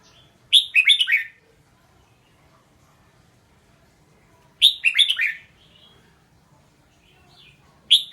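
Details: Red-whiskered bulbul singing: short bubbly phrases of quick, warbled whistled notes, each lasting under a second, separated by about four seconds of quiet, with a third phrase just beginning at the end.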